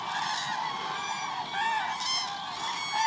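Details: Flock of cranes at the Hula Lake on 30 December 2014, a busy rolling chorus of trumpeting calls, swelling in loudness toward the end as nearer birds join.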